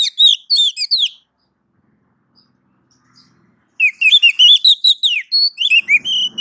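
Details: Oriental magpie-robin tutor song for making caged birds respond: bursts of fast, varied chirps and twisting whistles, a three-second silence, then a long lively stream of rapid notes.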